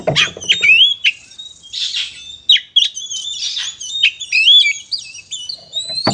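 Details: Oriental magpie-robin fighting song used to stir other birds, a rich run of whistled slurs, rising and falling notes and scratchy bursts with little pause, opening over a brief low rattling noise.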